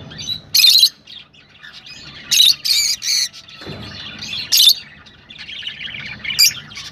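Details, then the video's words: Screechy rosella squawks, meant to prompt breeding, come as short loud bursts every second or so, with softer high chatter filling the gaps. "تغريد طيور الروز ( حفز طيورك )"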